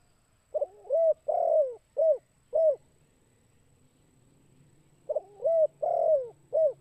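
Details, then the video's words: Vigorously calling spotted dove in kuk 2 style, used as a lure: two phrases of hollow coos, each a stuttered opener, a drawn-out falling coo and two short coos, separated by a pause with a low hum. "Suara PEMANGGIL TEKUKUR GACOR KUK 2"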